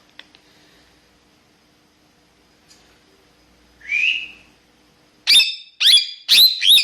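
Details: A talking parrot gives a single rising whistle, then a burst of four loud, harsh, harmonic squawks in quick succession near the end, with a quiet background.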